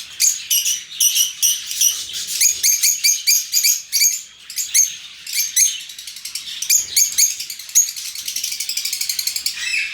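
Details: Lovebirds in an open aviary: dense, continuous high chattering and shrill chirps from many birds, with rapid overlapping notes throughout.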